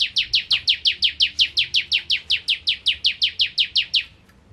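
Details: Ciblek kristal (bar-winged prinia) in vigorous 'nembak ngentrok' song: around twenty-three sharp, descending chips in a fast, regular volley lasting four seconds, then the singing stops abruptly.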